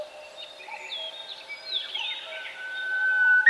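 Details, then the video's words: Forest birds sing softly and at a distance: faint, mixed twittering phrases build gradually and end in a clear, drawn-out whistle that rises and then falls. "Пение птиц в лесу"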